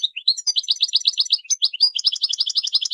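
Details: Dense, tinkling goldfinch song of quick high chirps and twitters strung together without a break, the notes jumping up and down in pitch.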